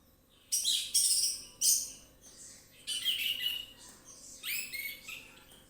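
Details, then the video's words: Orange-headed thrush singing freely as a lure to get others singing: a series of loud, rich, buzzy phrases separated by short gaps, the last ones with downslurred whistled notes. "ANIS MERAH NGEPLONG SANTAI,PANCINGAN ANIS MERAH AUTO BUNYI"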